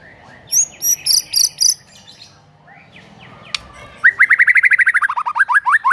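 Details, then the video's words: Morning lure of white-rumped shama song for training a mute bird: a few high, thin chirps, a quiet pause with a sharp click, then a fast rapid series of whistled notes slowly falling in pitch. "PANCINGAN PAGI HARI UNTUK MELATIH MURAI BATU BISU AGAR CEPAT GACOR"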